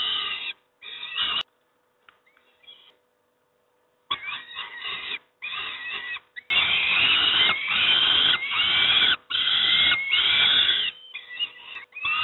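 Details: Young peregrine falcons being fed breakfast at Moszna, Pruszków, Poland, give harsh, rasping begging screams in bursts, building to long, loud, continuous screeching near the end, with short silent gaps between bouts.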